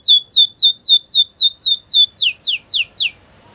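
A Belgian canary sings a rapid, even string of high, downslurred notes, nearly four a second, then shifts to a few lower sweeping notes; nothing else is heard.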